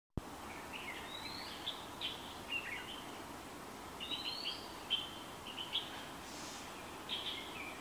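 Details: White-rumped munias at Shenzhen University in February 2019 give thin, high, slightly rising chirps and short twittering phrases in loose bursts every second or two, over steady background hiss.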